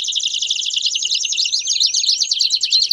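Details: Short burst of intense Belgian canary song, a tight, fast, high-pitched trill with quick looping glides running through it for three seconds.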